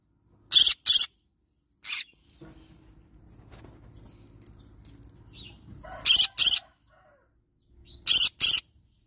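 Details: Yellow-sided green-cheeked conure parrot screeching in short, grating bursts, mostly in pairs with a single squawk between, separated by quiet gaps of a few seconds.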